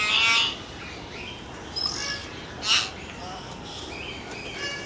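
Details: Hill myna from India: a loud, harsh rasp opens, followed by short whistled chirps and another strong screechy burst, then quieter chatter over hiss.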